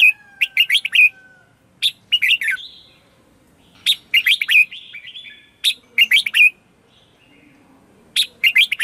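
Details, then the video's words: Red-whiskered bulbul singing a 'ché' morning song as a decoy to attract wild birds and train others. Quick clusters of three to five sharp, bright warbled notes separated by short silent gaps, clean and loud. "Luyện chào mào hót sáng - CHÉ GỌI BỔI CĂNG ĐÉT"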